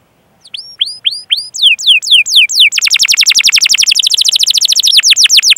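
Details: Canary in rolling song, played to coax other canaries into singing: a few spaced, curving whistled notes speed up into a long, dense trill of rapid falling high chirps repeated about four times a second.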